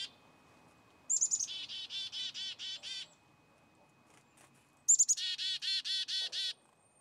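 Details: Two full chick-a-dee-dee-dee calls from a black-capped chickadee, each opening with a couple of high thin notes and then a string of about six to seven evenly repeated buzzy 'dee' notes, separated by a pause of nearly two seconds in a quiet setting.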